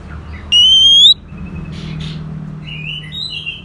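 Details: Orange-headed thrush sound meant to coax a non-singing bird into song: one loud, long, slightly rising pure whistle, then soft buzzy notes and a faint warbled phrase above a low hum.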